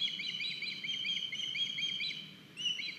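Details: Estonian osprey nest, 9 August 2021, a young bird arriving with a fish; dense overlapping shrill chirps and whistles throughout, repeated quickly, with a new rising note near the end.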